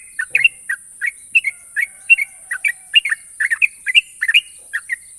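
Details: Sooty-headed bulbul, a national champion songbird noted for long, sharp trills, delivering quick bubbly chirped notes in rapid clusters, about twenty phrases in five seconds, over a steady high-pitched hiss.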